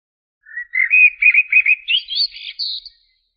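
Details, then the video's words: Common blackbird phrase of about two and a half seconds: a string of rapid, repeated warbled notes climbing steadily in pitch and ending in a thin, high twitter. "تغريد طائر الشحرور ( جحمومية - الزرياب )"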